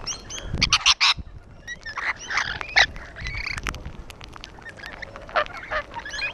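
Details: Rainbow lorikeets on a wall give clipped raspy shrieks in quick clusters, with scratchy chatter filling the gaps and a few soft low bumps.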